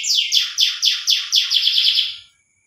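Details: Canary mating song, used to stimulate breeding, a rapid series of about ten bright descending chirped notes, each sweeping high to low, quickening toward the end before stopping, with no other sounds present.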